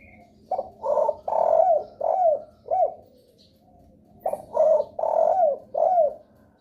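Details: Spotted dove lure call used to draw replies from other doves; two phrases of about five low, hooting coos with a long drawn-out note near the end, each phrase ending in a downward-slurred coo, separated by a short pause.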